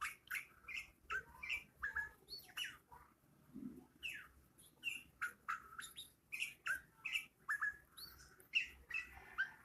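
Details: Bulbul calling while dancing: a steady run of quiet, sharp chirps and squawky notes, one every half second or so, some rising and some falling, with a faint low hum beneath.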